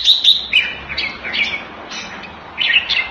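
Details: Red-whiskered bulbul, a caged bird kept Thai style in Singapore, sings short liquid whistled phrases with quick upward and downward slurs, repeated roughly every half second to second, over a soft background hiss.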